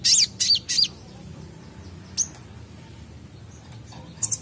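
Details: Van Hasselt's sunbird, a kept bird: three quick, very high, thin chirps open the song, followed by a few scattered sharp tweets over a low background hum.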